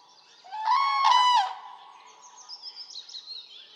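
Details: A single long, rolling trumpet call from a Common crane in Poland, slightly rising and then falling, followed by faint, higher calls in the distance.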